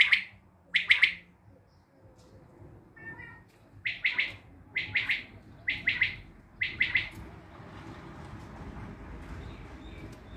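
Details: Tajik common quail calling in crisp three-pulsed phrases, spaced roughly a second apart, with a brief pause and faint squeaky notes midway; the calls stop and steady background hiss fills the last few seconds.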